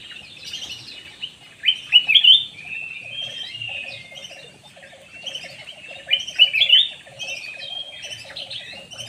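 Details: Lure call of a black-naped oriole. Bright, quickly rising and falling chirped phrases come in two loud bursts around the second and sixth seconds, over continuous background twittering and a low, evenly pulsed chatter.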